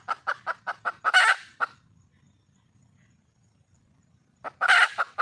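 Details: Wild red junglefowl hen calling for a male: a run of about seven short, evenly spaced clucks speeding into a loud, harsh drawn-out squawk, a final cluck, then silence before a second cluck-and-squawk bout begins.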